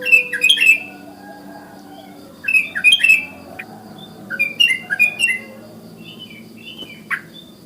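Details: Wild sooty-headed bulbul calling in the morning to draw other bulbuls into calling: short bubbly phrases of chirping, warbled notes come in bursts every second or two, separated by quiet gaps over a low steady hum.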